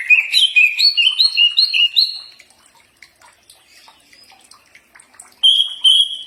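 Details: Green leafbird training song to draw responses: a brisk series of rising two-note whistled phrases for two seconds, a quiet gap with faint ticks, then a sustained high whistle.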